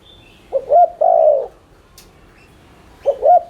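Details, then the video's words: Spotted dove lure call: one phrase of two short rising notes and a long level coo, then the start of the next after two seconds; a faint high whistle at the opening. "Cu gáy THÚC Liên Thanh kích bổi,mồi ức chế nhanh gáy/kích bổi nhanh nổi"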